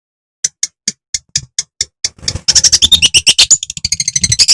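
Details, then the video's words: Long-tailed shrike of the Madura type in lively song, used to provoke other shrikes: sparse sharp ticking notes at first, then a fast, dense burst of harsh, high chattering notes repeated rapidly. "Kicau CENDET MADURA SUPER GACOR"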